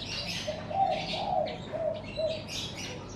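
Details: Birds in front of a house in the morning: short low cooing notes repeated in quick succession among scattered high chirps and twittering bursts, with a soft hum behind them.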